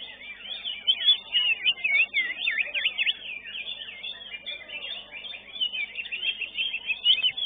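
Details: Greater green leafbird singing during a bird singing competition: a continuous, high, fluid warble of rapid swooping and zigzagging whistled notes with short louder bursts, running on without a pause.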